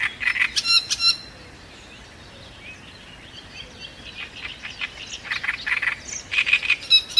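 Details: Great reed warbler singing at Cihlový pond near Turnov, Czech Republic: loud, harsh, grating phrases of repeated croaking and creaky notes, with a short pause before the song resumes.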